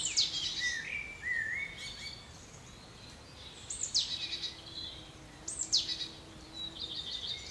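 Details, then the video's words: Eurasian blue tits calling, recorded 6 June 2021: thin, very high notes sweeping sharply downward, with short buzzy trills and chattering phrases between them, repeated in bursts over a soft background hiss. "Blue Tits"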